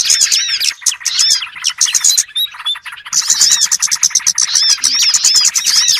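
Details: Small birds used as a trapping lure: a busy chorus of sharp high chirps and curved whistled notes, with a short thinner gap midway before the crowded chattering resumes.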